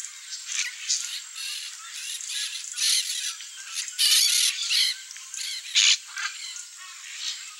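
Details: A small flock of Peach-fronted Parakeets eating what falls from a feeder in Mato Grosso do Sul, Brazil, gives harsh, grating, overlapping screeches in short bursts about every half second, over a steady high hiss.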